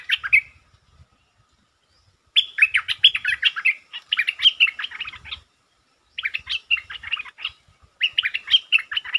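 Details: Provoked territorial Stripe-throated bulbul pours out dense, fast chattering song in long bursts of rapid staccato notes, broken by short silent gaps.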